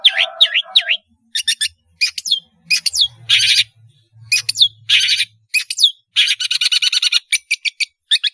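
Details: Long-tailed shrike in full, melodious song, used to lure young birds into learning: choppy looping whistles and scratchy rasping bursts in irregular groups, ending in a fast rattling series.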